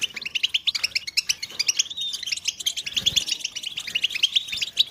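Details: European goldfinches chirping together, calls meant to stimulate males to sing: dense, rapid, high twittering with liquid trilled phrases, steady throughout, with a faint low rumble midway.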